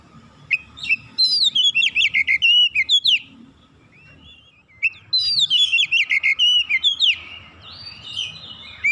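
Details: Oriental magpie-robin mastering song for training a raw, untrained bird: two long runs of rapid, sweet whistled phrases and trills separated by a quiet pause, ending in a softer whistle.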